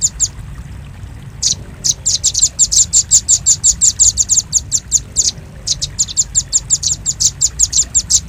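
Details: Velvet-fronted nuthatch call meant for luring birds: loud, sharp, very high chip notes repeated quickly in rattling bursts, with one short break before the rapid series resumes.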